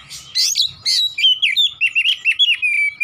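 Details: Oriental magpie-robin, singing vigorously in 'nembak' style. A few rough, scratchy notes lead into a quick run of bright, bouncing whistles that repeat several times each second.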